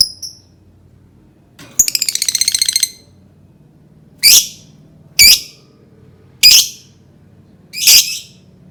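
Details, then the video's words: Lovebird call used to lure and provoke other birds: a rapid buzzy rattling burst followed by four separate sharp, harsh high squawks spaced about a second apart. "Suara burung lovebird pancingan"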